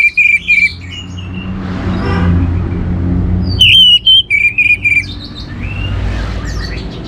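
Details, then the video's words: Lively orange-headed thrush song from North Bali, meant to set other birds singing: short bursts of bright, clipped whistles repeated in quick groups, separated by pauses filled with low rumbling background noise. "ANIS MERAH Gacor Untuk Memancing Burung Jadi NGeplong Bahkan Teler"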